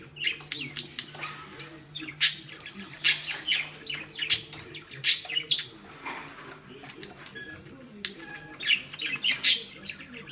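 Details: Pet female budgerigar furiously playing with a ball tied on a string, trying to tear it loose; a long run of scratchy high chirps and chatter broken by repeated loud clacks of the ball.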